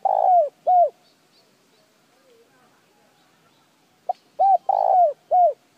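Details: Spotted dove calling to prompt other birds to respond: two low, falling hooted coos, a quiet gap of about three seconds, then a short click-like note and three more loud coos in quick succession.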